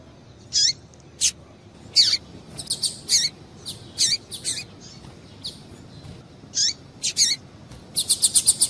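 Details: Busy calling of a female double-collared seedeater, meant to prompt a male's song. Many high chips with dropping tails come in quick, uneven succession, ending in a fast run of about six rapid notes.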